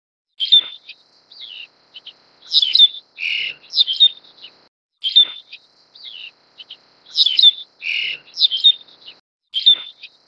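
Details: Black-collared starling (Gracupica nigricollis) feeding a chick, giving a harsh, scratchy series of squawks and short whistled notes, the phrase repeated about every four seconds.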